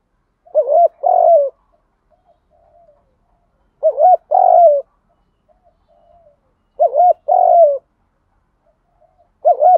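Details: Spotted dove, male or female, giving the 'kích bổi' coo meant to stimulate decoy birds: a wavering note and a longer mellow note, paired and repeated roughly every three seconds, faint soft notes between.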